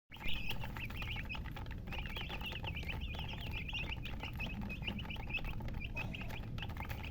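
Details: Colour chickens, called murgi, chirping: many high, short peeps in quick overlapping runs, some rising, some falling, over a steady low rumble and hum.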